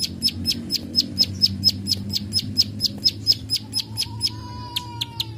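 Plain Prinia giving sharp, high clicking notes about twice a second in a steady run, with a faint drawn-out whistle near the end.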